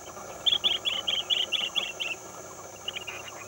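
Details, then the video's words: A chestnut-headed bee-eater gives a quick run of about eight short, rolling, high trilled notes, then a few fainter ones, over a steady hum. "Chestnut-headed Bee-eater"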